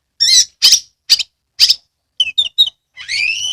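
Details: Lure song of an oriental magpie-robin kept in Kebumen, Central Java: four loud, shrill chips, three quick sweet notes, then a drawn-out, rising whistled phrase.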